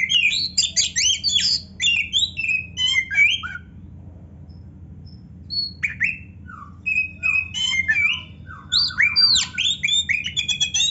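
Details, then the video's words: Kacer (magpie robin) singing a rich, varied song intended as a training track for lazy or beginner kacer. Rapid sequences of whistled, slurred and buzzy notes, a short pause, then more varied phrases and fast repeated chirps, with steady low background hum. "kacer gacor full isian MEWAH NARUNG‼️Auto NGOBRA BUKA EKOR"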